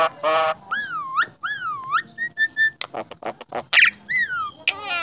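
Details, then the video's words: Talking starling, winner of a contest, delivers a rapid medley: a rough burst, several wavering looped whistles, short level piping notes, sharp clicks and harsh rasps, with a buzzy harmonic sound at the close. "Burung Jalak Bisa Bicara"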